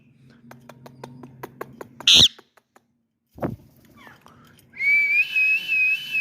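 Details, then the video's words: Pet ringneck parrot making varied sounds: soft clicking, a sudden loud shrill burst, a brief rasp, then a long steady wavering whistle with rich overtones that holds for over a second. "My cute Ringneck parrot showing some unique voice"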